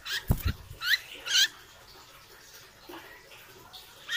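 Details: Hair-crested drongo, a loud-voiced mimic kept as a songbird, being trained: two low knocks, then a pair of harsh, chattering notes with twisting upper tones, followed by quieter scratchy sounds and a final buzzy note.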